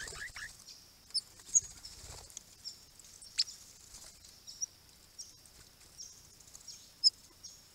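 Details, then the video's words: At least five rare Swift Parrots visit a pond among flowering Grey Box trees in March 2022, caught on a trail camera: sharp, high metallic chips over thin continuous twittering, single notes a second or two apart, with a low rumble at the start. "Swift Parrots"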